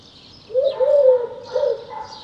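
Eurasian collared dove giving soft, low, hollow coos, a longer drawn-out note followed by a shorter one, with faint background hiss.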